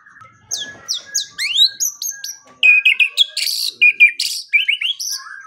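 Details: White-rumped shama training song used mornings and evenings: sweeping high whistles and upslurs, then a fast sequence of loud sharp bursts and short chirps.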